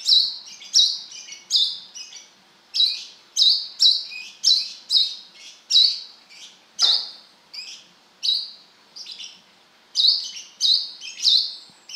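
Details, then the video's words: Kolibri kelapa, the brown-throated sunbird, singing gacor wiceh notes: a steady, energetic series of sharp, high, buzzy chips, roughly two per second, with occasional quieter twittering fillers. "Suara burung kolibri kelapa gacor beset - wiceh gacor"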